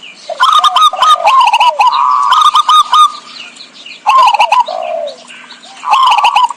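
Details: Zebra dove lure song for trapping birds: fast clicking stutters leading into long trilled coo phrases, two loud bouts separated by a quieter stretch with a faint low steady hum.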